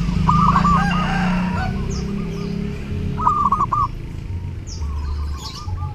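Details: Zebra dove singing lustily at Lebaran, intended as a training recording for other birds: bursts of quick, bubbling, trilled coos repeated a few times, with faint chirps higher up and a continuous low hum underneath.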